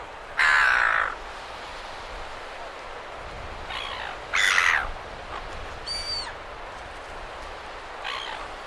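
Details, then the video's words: Silver gulls near surf at Perth, Australia: loud, harsh drawn-out squawks spaced a few seconds apart, one thinner ringing cry among them, with steady breaking waves underneath. "Silver Gull. MCU Calls From Several. Surf In B/G. Perth, Australia"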